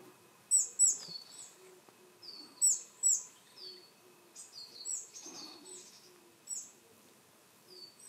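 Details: Willow tit contact calls, with some coal tit and varied tit voices mixed in: thin, very high double notes then drawn-out, slightly falling nasal notes in loose bursts every couple of seconds, faint low hum.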